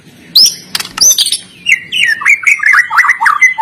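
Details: Captive white-rumped shama singing a lively fighter-style song, used to train shamas that sing too little: sharp high chips and buzzy notes, then a fast run of varied warbled phrases.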